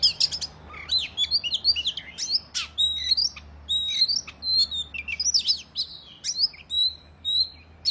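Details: Oriental magpie-robin singing aggressively to provoke other males into tail-spreading: rapid phrases of sweet whistles mixed with sharp clicks and upslurred notes, continuing with brief pauses over several seconds.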